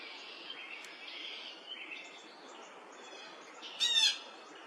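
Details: A male red-bellied woodpecker in Woodstock, New Brunswick, on May 3, 2025 gives one loud, harsh, rolling churr call near the end, with faint chirps from other birds throughout.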